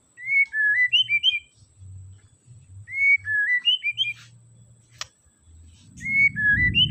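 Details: White-rumped shama singing a clear whistled phrase of stepped notes that rise and fall. The phrase is repeated about every two and a half seconds, with sharp clicks and low rumbling noise toward the end.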